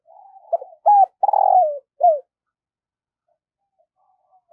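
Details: Morning cooing from a spotted dove kept as a decoy to lure wild birds. One phrase of short hollow coos around a drawn-out, sliding coo comes early, followed by a long quiet stretch.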